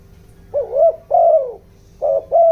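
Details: Spotted dove used as a decoy, 'giọng đồng' voice meant to rouse wild birds: two drawn-out, hollow coos, then a quick double coo starting another phrase, over a faint electrical hum.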